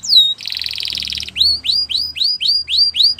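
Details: Belgian canary opens with one falling whistle and a steady buzzing rattle, then gives about nine rising, swooping whistled notes at a regular pace.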